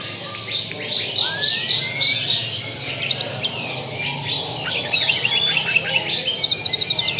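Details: White-rumped shama from Lampung singing a rich medley: a long rising whistle early on, then rapid high twittering, shrill slurred notes and a fast pulsed rattle-like series of repeated notes toward the end.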